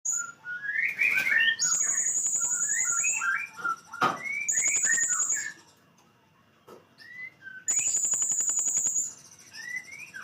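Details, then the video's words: Blue-crowned hanging parrot, a kept songbird, in full 'nembak' style. Quick chirped notes and twittering phrases sit alongside bursts of high, buzzy, sustained trills that come in three long runs. "srindit full nembak"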